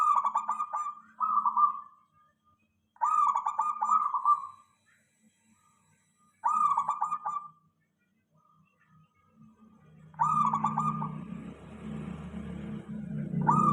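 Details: Local zebra dove (perkutut) song used as a lure so other doves answer: warbled, trilling coo phrases around a steady pitch, repeated about every three seconds, ending with a burst of rumbling low noise under the final phrase.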